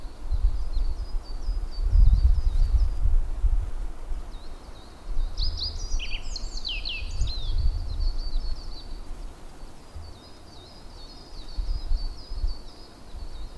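Japanese yellow bunting giving thin, high notes repeated steadily, with a brighter, quick phrase of rising and falling whistles midway, over a low wind rumble.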